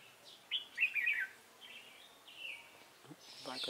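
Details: Red-whiskered bulbul, trapping with a decoy, Hòa Bình, 18 November 2017: a loud warbled phrase of quick descending notes, a drawn-out whistle, then a man's voice at the end.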